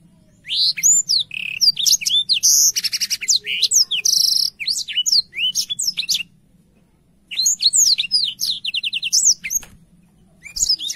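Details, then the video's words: Tutor song for canaries from a lively, clear-voiced Black-throated canary: two long phrases of high swooping whistles mixed with buzzy rattles, with a pause of about a second between them. "BLACKTHROAT GACOR SUARA JERNIH UNTUK MASTERAN KENARI BAHAN PAUD CEPAT BUNYI CUIT CUIT"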